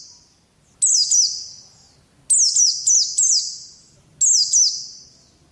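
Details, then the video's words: Oriental white-eye, audio used to coax a quiet pet bird into singing: bright, very high chirps falling in pitch with drawn-out ringing tails, grouped in short bursts of two to three notes roughly every one and a half seconds. "Pleci malas jadi ngalas || TERAPI PLECI"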